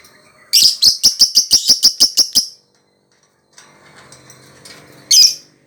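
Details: Lovebird singing: a fast run of about ten sharp, high clicking chips over two seconds, a quiet pause with faint background sounds, then one loud high squeak.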